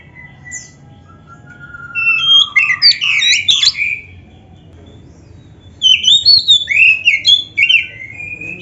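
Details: Oriental magpie-robin giving a master song with rich isian filler, meant for training: a drawn-out falling whistle, then two dense bursts of tumbling chirps and slurred whistles separated by a quiet gap.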